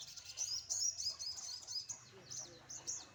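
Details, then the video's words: Sunbird in the morning sun singing high, thin twittering phrases, sharp tinkling notes rising and falling in short bursts, with a faint low hum beneath. "jemur pagi burung sogon"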